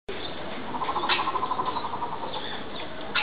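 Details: A vulturine guineafowl (Acryllium vulturinum) at Yumemigasaki Zoo Park, Japan, gives a quick run of about fifteen clipped, mid-pitched notes over a second and a half, against a steady background hiss.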